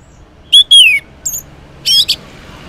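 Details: Orange-headed thrush morning song as a lure for silent males: two loud descending whistled notes, a short high note, then a buzzy squeaky phrase.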